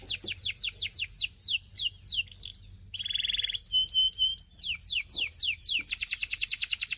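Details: Belgian canary singing a fast, varied song of rapid repeated high downslurred notes, with buzzy rolled trills, a run of steady pure whistled tones, then a dense rapid rattle at the end.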